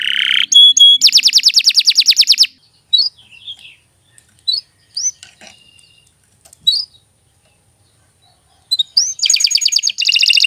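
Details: Canary in steady song, used as tutor material for other birds. Bursts of fast rattling trill open and close the passage. In between come a few sparse high chips and long near-silent pauses.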